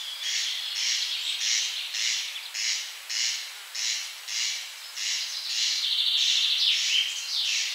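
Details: Corncrake singing by day, hidden from view: a steady series of dry, rasping strokes repeated about every half second over a hissing background, with a brief clear whistle from another bird near the end.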